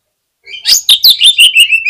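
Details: Fighter Oriental magpie-robin on the contest pole, singing to provoke rival birds. A short, loud phrase of rapid sharp chips, about seven in quick succession, trailing into a high thin whistle.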